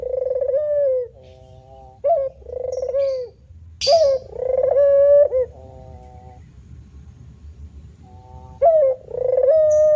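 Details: A male spotted dove, called puter, gives manggung coos with pauses. Short upslurred notes are followed by rough, pulsing coos that end on a drop. A sharp hiss breaks in midway, and there is a longer quiet gap before the cooing resumes.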